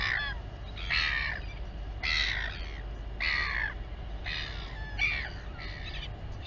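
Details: Royal albatross mother feeding her chick at the Taiaroa Head colony near Dunedin, New Zealand, with harsh, raspy, crow-like bursts, six in all, roughly one per second, over a steady low wind rumble.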